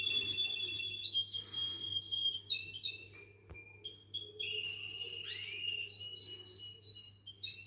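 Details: Canary song: soft, clear whistled notes and short trills held at level pitch, with a few quick descending sweeps, over a steady low hum.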